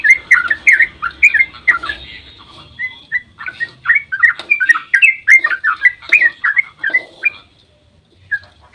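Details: Sooty-headed bulbul in long dawn song meant to provoke other birds into singing: a lively chatter of liquid, slurred whistles, rising and falling, delivered almost three per second with short gaps and a quiet pause near the end.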